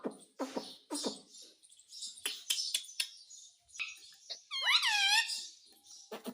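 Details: Talking parrot wanting roti: a busy patter of clicks and short squeaks, followed by one loud arching harmonic call and more clicks.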